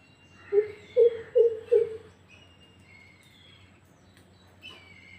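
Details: Greater coucal, known as crow pheasant or mahokh, giving four deep, hollow hoots about half a second apart, followed by faint whistles of other birds.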